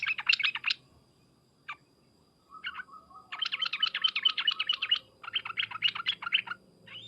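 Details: Sooty-headed bulbul calling, used to make other bulbuls answer at once: bubbly, gurgling chattered phrases of rapid liquid notes in several bursts, with a pause and a few isolated chips between, over faint background rustle.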